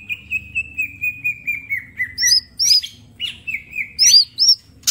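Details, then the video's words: Mini green leafbird master song for training: a long string of about twelve short whistled notes on a slowly falling pitch, then loud hooked whistles and scratchy bursts. "Cucak ijo mini gacor full tembakan bongkar materi"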